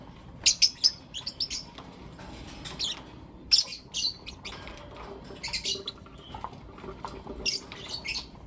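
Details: Blue opaline and lutino opaline lovebirds give sharp, high, shrill chirps in the morning, in quick bursts, some doubled, scattered irregularly with short pauses between.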